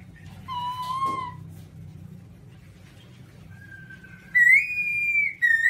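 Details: White-cheeked black-throated laughingthrush whistling: a steady mellow note, a pause, then a long, slowly rising clear whistle that breaks into a louder, higher sustained tone.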